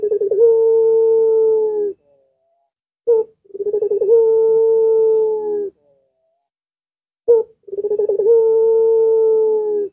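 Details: Barbary dove (puter) with a long, curving voice used as a lure for doves: three phrases, each a brief sharp note, then a stuttering quaver sliding into a long, steady drawn coo.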